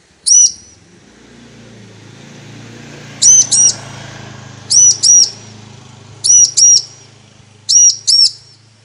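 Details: Female bar-winged prinia calling to the male, used to prompt males to sing: a single chirp, then paired high arched notes about every one and a half seconds over a steady low hum.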